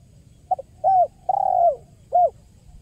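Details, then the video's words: Spotted dove giving a single 'kuk 1' call phrase, used as a trapping lure: a soft double pip, then three mellow coos, the central coo long and slightly trilled at its start. "SUARA JERNIH BURUNG TEKUKUR KUK 1 GACOR PALING AMPUH UNTUK PIKAT DAN PANCINGAN"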